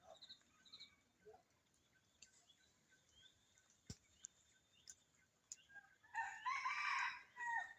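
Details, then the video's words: Wild red junglefowl in jungle beside a house on a dark, cold winter morning, two or three cocks calling back and forth, gives a loud, harsh, strained two-second crow near the end after faint small-bird chirps and one sharp click. "সকালে বন মোরগীর ডাক কারকার খুব ভালো লাগে।"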